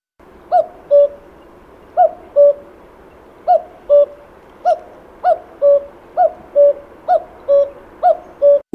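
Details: Common cuckoo (Cuculus canorus) song, heralding spring: its familiar two-note 'cu-coo', higher note dropping to lower, repeated about eight times, speeding up to roughly once a second.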